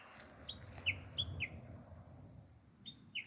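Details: Small bird giving a few scattered high chirps, each a brief downward-slurred whistle, with pauses between them over a low background rumble.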